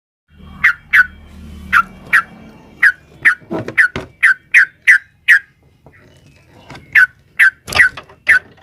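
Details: Sooty-headed bulbul, a female calling a male, in a long rapid 'ropel' style used to provoke a caged bird into singing; short bright notes repeated in quick bursts with pauses, and a rougher, harsher patch midway.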